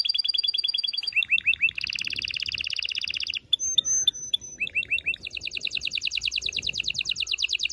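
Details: Strong canary song meant to excite females and males for breeding, made of quick rolled trills, short dropping chirps and clear high whistled notes, ending in a long fast-pulsed trill.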